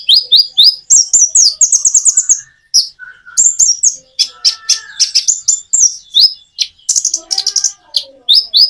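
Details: Common iora in near-continuous song, recorded with natural pauses to encourage shy birds to respond. Rapid trills of bright high notes alternate with sharp chirps and a few softer, lower whistles.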